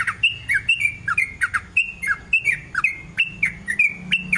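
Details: Sooty-headed bulbul, a long rolling song used as a lure to set other bulbuls singing: a rapid run of short, repeated whistled notes dipping and rising in pitch, about two to three per second, over a low background hum.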